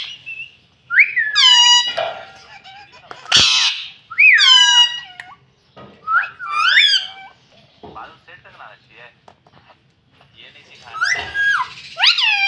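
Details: Talking pet rose-ringed parakeet saying "mummy": clusters of bending, voice-like squeaky syllables separated by quiet gaps, with one sharp noisy click near the start.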